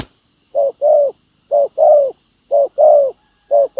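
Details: Spotted dove decoy cooing to attract wild doves, with clear, well-spaced pairs of low notes, a brief coo then a longer falling one, each pair about a second apart.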